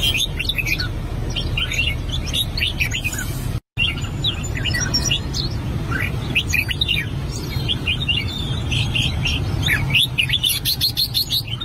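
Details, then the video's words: Albino red-whiskered bulbul rehearsing its song: scattered short, sweet chirped and warbled notes in loose phrases. A brief gap in the sound comes early on, and a constant low rumbling background runs throughout. "Chim chào mào bạch tạng hót luyện giọng"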